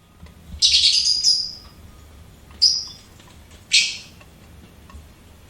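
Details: A pet lovebird gives a rasping, buzzy chirp lasting about a second, followed by two short sharp squeaks spaced roughly a second apart.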